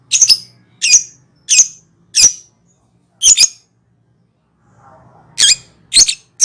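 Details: Lovebird ngekek calling as a lure: a fast run of five piercing, harsh high shrieks well under a second apart. A short pause with soft low chatter follows, then three more shrill screeches.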